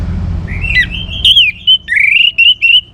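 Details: Orange-headed thrush in full song, used to prompt other birds to sing: clear whistled phrases, a long rising slur then sharp up-and-down notes in short bursts, over low background hum.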